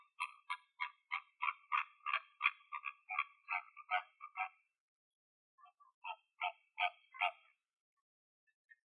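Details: Flamingos in Greek nature, recorded in the wild: a rapid run of nasal, goose-like honks, about three per second for four seconds, then a short pause and a second, looser burst of honks.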